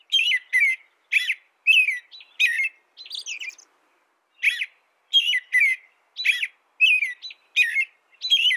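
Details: An American robin sings a steady run of warbled, whistled phrases, each dropping in pitch. A short pause with softer, higher twittering notes falls in the middle, then the caroling resumes at a brisk pace.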